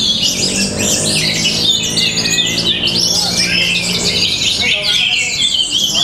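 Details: Orange-headed thrush from Tabanan, Bali, performing a powerful, dense song: continuous high, rapid twittering and warbled phrases with quick slurred notes, with a low hum and faint voices underneath.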